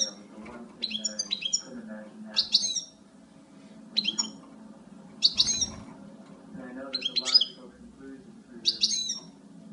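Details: Female European goldfinch giving clusters of quick, sharp, high twittering chirps about every one and a half seconds, over a low background hum.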